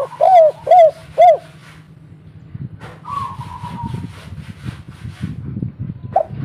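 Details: Local spotted dove in kuk 3 style, used to prompt other doves to answer: three quick, soft, arched coos, then a faint higher steady note over a continuous low rumbling background.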